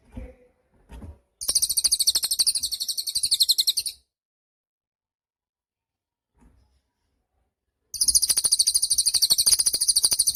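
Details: Cililin bird singing energetically, a bird sound used for training songbirds: dense, buzzy, rapidly pulsed high trills in two long bursts of about two to three seconds, separated by a few seconds of silence, with faint thumps before the first burst.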